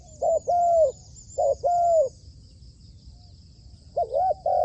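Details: Spotted dove kept as a trained decoy for trapping wild doves, giving paired mellow coos, a short note then a longer one, repeated twice before a pause and a third start, with faint thin whistles above.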